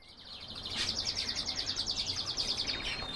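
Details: Caged canaries, one of the owner's several birds, singing a rapid, even rolling trill of bright high notes repeated about fifteen times a second for over two seconds, over a low background hiss.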